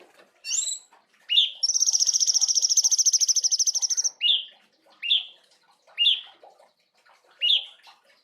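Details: Cungkok bulbul singing loudly with rich fill notes for training songbirds; a few scratchy notes, a rapid high trill of about two and a half seconds, then a series of sharp downslurred chips about one per second.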